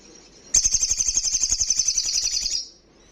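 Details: Olive-backed sunbird, loud ngalas song: one sustained high trill of about two seconds, rapid regular sizzling pulses starting abruptly and tapering off at the end.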